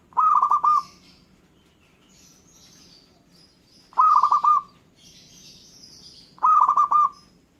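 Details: A local zebra dove gives three rolling, trilled coo phrases about every two seconds. Thin high chirps from other birds fill the gaps, answering the dove's song.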